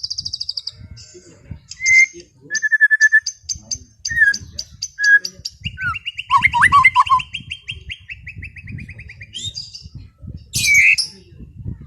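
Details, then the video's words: White-rumped shama in a relaxed afternoon song for calming an overexcited bird: varied phrases of high rattles, short repeated whistles, a long steady trill, low fluty notes and a sharp rising whistle, over faint background rumble. "SUARA MURAI BATU NGEPLONG SANTAI SORE HARI UNTUK RELAKSASI BURUNG OVER BIRAHI"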